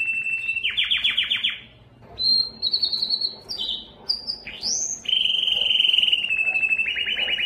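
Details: Belgian canary singing loudly to attract females for breeding: a fast rattling trill, then clear steady whistled notes at shifting pitches, a quick upward slide, and a long sustained buzzy whistled roll to finish.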